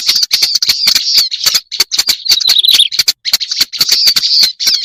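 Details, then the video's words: Black-browed reed warbler lure recording: rapid, rough chattering phrases with crackling clicks, a brief slurred, descending warble at about three seconds, then the grating chatter resumes. "Suara pikat burung kerak basi alis hitam"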